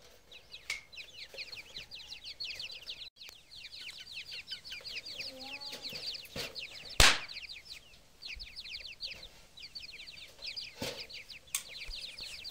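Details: Grey francolin chicks keep up an unbroken chatter of high, falling peeps, broken by occasional loud clicks and a thump.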